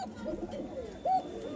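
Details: Bashiraj kokka domestic pigeon, one of a pair, calling while frightened at a pigeon farm, Mirpur-1, Dhaka: a low, rolling coo that wavers in pitch, then one short, louder, clearer note near the end.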